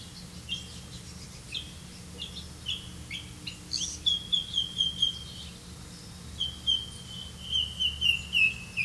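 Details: Grey-capped greenfinch feeding its young on crickets; short chirps near the start, then runs of thin, high, slightly falling notes in quick series around the middle and end, over steady low background hum.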